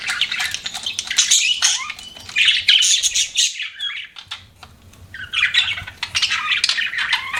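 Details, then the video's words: Pet budgerigars chirping: dense, overlapping high warbles and scratchy chatter, with a brief quiet gap near the middle before the busy twittering resumes. "BUDGIES CHIRPING SOUND"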